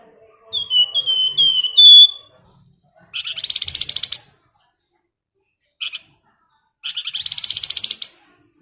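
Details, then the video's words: Female flamboyan calling to a male: a run of whistled slurred notes ending in a louder high whistle, followed by two fast buzzy pulsed trills separated by a short chip, in a quiet setting. "Nyiul Cantik Burung Flamboyan Gacor"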